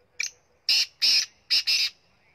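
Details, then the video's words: Black francolin, known as kala teetar, from Punjab: a short grating note, then two loud rasping notes and a tight closing pair, the whole phrase lasting under two seconds against a silent background. "Punjab Kala Teetar Voice"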